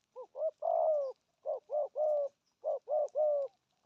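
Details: Spotted dove's 'gù thúc' cooing: rapid runs of three or four mellow hoots, the first phrase ending in a long coo, then two more quick three-note groups.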